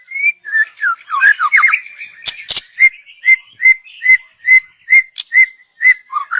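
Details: Song of a young wild white-rumped shama from the forest, used as a lure: a burst of tumbling warbled notes and clicks, then a steady series of clear short whistles about three per second.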